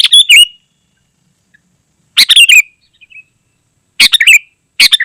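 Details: Sooty-headed bulbul song, played to lure wild birds in the forest and to tutor caged birds at home: loud, harsh bursts of chirpy notes at about two-second intervals, each ending in a short falling whistle, with brief faint notes between.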